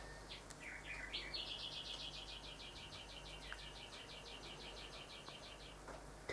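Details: Rufous whistler, a male that keeps admiring his reflection in house windows at this time of year, sings a rapid series of about twenty-five whipping notes, repeated four times a second, after a few varied whistled introductory notes, with a steady low hum behind.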